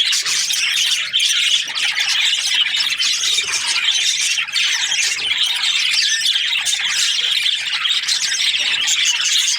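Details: Budgerigar breeding pairs filling the air with nonstop high chirps, warbles and scratchy squawks, a thick overlapping chatter that barely pauses over nearly ten seconds.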